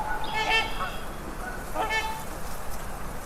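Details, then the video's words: Swans calling with nasal, trumpeting honks in two bursts, each a cluster of harmonic notes around one second apart, over a faint background hiss. "listen to the sound swan"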